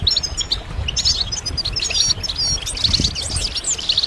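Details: Goldfinch song for stimulation, made of scattered sharp whistled notes and liquid twitters, some slurred downward, in lively irregular phrases over faint low background hum.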